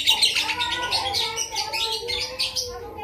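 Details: A Javan myna performing a lovebird imitation: a continuous stream of scratchy, high chattering notes and squeaks, delivered rapidly without pause over a faint low background hum.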